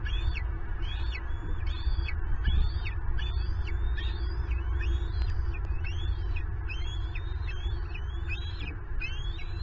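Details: Bald eagle calling at a Southwest Florida nest where an intruder stole a turtle breakfast intended for two eaglets; shrill whistled notes, each rising then dropping, repeat steadily about twice per second over heavy low rumble.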